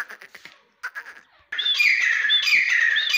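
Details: Grey francolin (teetar): soft knocking sounds give way to a sudden loud, continuous, harsh calling with ringing whistled upslurs woven through it.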